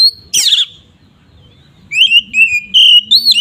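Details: Loud 'ngeplong' song of an oriental magpie-robin used to anger other birds: a short whistle and harsh rasping note, a pause, then a string of level whistled notes.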